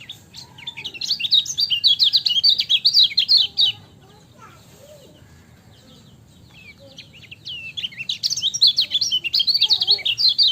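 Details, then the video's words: Energetic song of the lemon-bellied white-eye (kecial kuning), recorded for tutoring caged birds: long bursts of fast, high, scratchy twittering chirps, a quieter middle section with scattered notes, then the rapid twitter resumes. "MASTERAN KECIAL KUNING CIAK JOSS GACOR"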